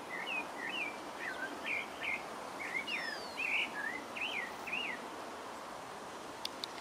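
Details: Pale-breasted thrush (Turdus leucomelas) singing in French Guiana: a fast, varied string of whistled and warbled phrases over five seconds, with a higher slurred note midway, then hiss and a few clicks.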